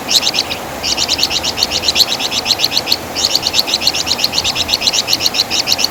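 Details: Wergan Jawa (flamboyan bird), a loud songbird used as tutor material: long sequences of rapid, high-pitched, rhythmic chip notes with only short pauses, forming a sustained chattering trill.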